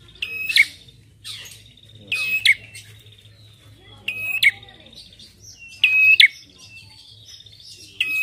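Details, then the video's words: A red-headed prinia gives sharp, high, snapping calls in short bursts about every one to two seconds, used as a lure call, with a thin steady high tone between and a low hum beneath. "PANCINGAN PRENJAK KEPALA MERAH"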